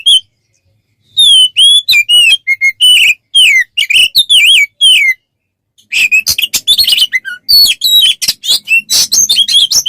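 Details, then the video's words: Oriental magpie-robin song for tutoring captive birds. After a short silence, clear looping whistles arrive in quick succession. These are followed by a dense stretch of scratchy, chattering notes mixed with high, thin whistles. "Masteran untuk burung Kacer"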